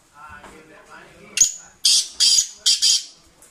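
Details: Sindhi black francolin, kept by a friend and described as fearless, gives a sharp scratchy note followed by four rasping, crackly bursts in two pairs after faint low voices.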